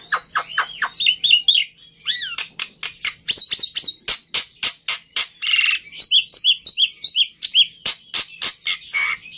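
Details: Black-winged myna pouring out rapid chattering song: harsh noisy bursts, then a long series of short clicking notes and descending whistled slurs, steady and loud throughout.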